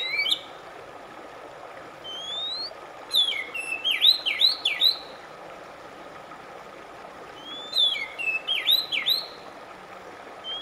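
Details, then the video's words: Oriental magpie-robin singing, a recording meant to calm a stressed caged bird and get it singing again: a long rising whistle, then quick looping whistled notes in two bursts, with a soft constant hum behind. "RELAKSASI AMPUH KACER SETRES MACET TOTAL CEPAT BUNYI"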